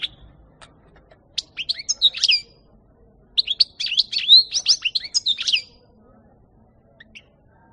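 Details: European goldfinch recorded in 2018, giving two bursts of bright, tinkling twittered song of quick high chirps and slurred notes, each about two seconds long, with a short pause between and a lone faint chirp near the end.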